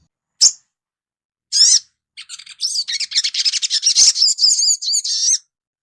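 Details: Sunbird, a young untrained bird kept for training; its song is played to coax it into quick twittering. Two separate sharp high chirps, then a dense run of rapid, high, twittering notes.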